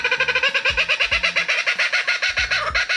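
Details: A kookaburra at an indoor reptile facility calls loudly in a fast, harsh cackle of rapid rich notes, roughly nine a second, carrying on without pause over a faint indoor hum.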